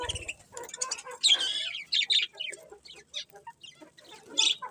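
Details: Several colourful pet budgerigars chirping together, a busy mix of short high warbled notes and scratchy squeaks with quieter gaps between bursts.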